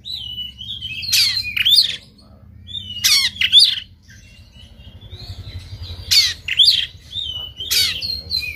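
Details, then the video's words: Fighting Oriental magpie-robin, tail spread, delivering coarse shot-like phrases: a bright whistled note followed by two rasping harsh bursts with sharp upslurred whistles, the pattern repeated three times with pauses, faint low hum behind. "KACER NGOTOT TARUNG BUKA EKOR SUARA TEMBAKAN KASAR"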